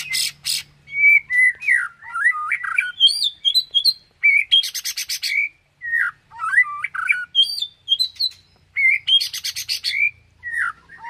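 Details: White-rumped shama (murai batu) singing its 'tembakan' and 'isian' style: varied loud whistled slurs that rise and fall, broken by short bursts of dry, rattling buzzy notes, phrases following one another with brief pauses.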